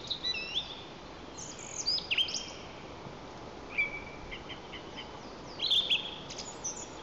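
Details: Song thrush in song at Lower Kama National Park, Tatarstan, 11 April, recorded by a webcam near a white-tailed eagle nest: short clear whistles and scratchy notes, some phrases repeated, spaced about two seconds apart, over steady background hiss.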